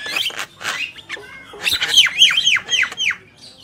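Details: Male and female black-winged myna singing: a run of loud, harsh, down-slurred whistles and squawky notes, about four a second, with rasping bursts between them.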